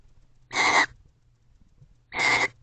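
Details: Two loud, harsh, screechy bursts about one and a half seconds apart from a barn owl pair in a nest box, expressing affection at night with varied vocalizations.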